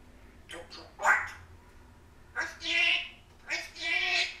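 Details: A pet African grey parrot talking, mimicking phrases such as "hi", "don't you bite", "can I have a kiss", "goodbye" and "want a scratch"; several short speech-like utterances with clear, bright human-style words and pauses between them.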